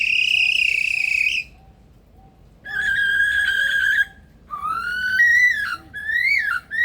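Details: In the Australian Rainforest Aviary at Adelaide Zoo a male Superb Lyrebird mimics machine sounds: a loud buzzy flat tone, a pause, a harsher flat tone, then rising and swooping whistles, with faint repeated beeps in the background.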